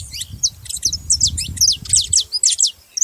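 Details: Saffron finches making noise: steady high, sharp chirps and squeaky notes in a quick string, over a low rumbling background hum.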